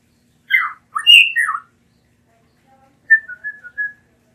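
Blue mockingbird song: a burst of rich, squawky and whistled phrases, then after a pause four or five softer, slurred whistles.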